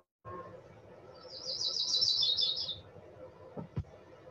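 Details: A Yellow-rumped Warbler recorded by an autonomous recording unit in Canada's Western Arctic parks, isolated by software from a larger recording, gives one high, sweet, loose trill of rapid notes lasting about a second and a half, over low hum with a soft click.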